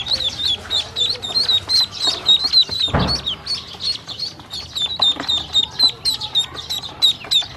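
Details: Hungry baby ducklings fed with feed and drinking water give loud, evenly spaced high peeps, about three to four per second, with one brief rushing noise midway.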